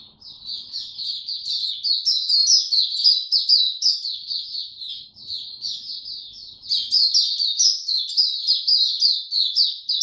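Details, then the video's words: White-eye song, 26 March 2022, warm and very humid: an unbroken torrent of high, sweet twitters at a fast pace, swelling after a brief dip around the middle. "Mata Puteh Hercules buka sing warm n very humid weather"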